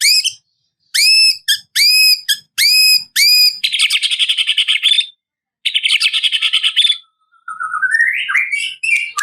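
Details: White-rumped shama calling out a rival: five loud upswept whistled notes, then long buzzy rattling trills, and a closing run of rising twittered notes.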